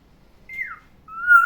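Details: Caged pet black-naped oriole in the morning giving two clear fluty whistles: a downslurred note sliding lower, then after a short pause a rising, steadily brightening whistle. Quiet background.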